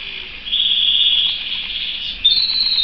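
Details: Pet canary giving a sustained high whistled trill, held for nearly two seconds, then a brief higher trilled phrase.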